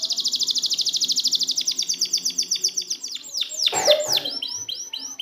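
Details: Canary song used as training for birds that stop singing: fast trills of repeated high notes, then a series of sweeping downslurred whistles, steady and loud throughout.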